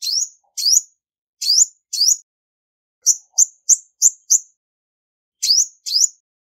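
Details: Female olive-backed sunbird: four sharp upswept chirps, a pause, a rapid string of five short high notes, another pause, then two more buzzy chirps, with no background noise.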